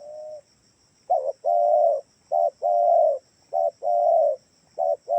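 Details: Lure call of a spotted dove meant to set other doves calling: low, husky coos alternating short clipped notes with longer, rolling, drawn-out ones, close to one per second, over a faint steady high whine.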